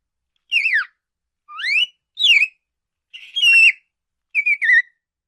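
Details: Five bright budgerigar chirps: a falling note, a rising slur, a twisting note, then two flatter, buzzier calls with a warbled ending, clear and close with nothing else audible.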